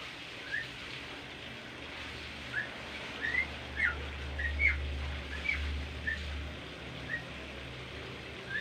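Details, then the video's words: Bimoli bird, a kept songbird said to tame easily, in a tutor song recording: short clear whistled notes around mid pitch, some rising, scattered about once a second over a low steady hum. "masteran merdu burung bimoli gacor"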